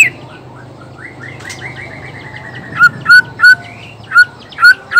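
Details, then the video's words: Black-tailed Nias white-rumped shama male singing to stir rival males: a soft run of repeated rising notes, then a few loud, clear short whistles spaced about half a second apart, with a low hum beneath. "suara alam khas murai batu blacktail,ekor hitam,nias..suara ini bisa bikin auto emosi murai lain.."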